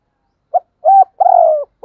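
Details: Morning call of a spotted dove decoy bird: a brief note, a flat held coo, then a long, rough, gently falling coo, low-pitched and clear.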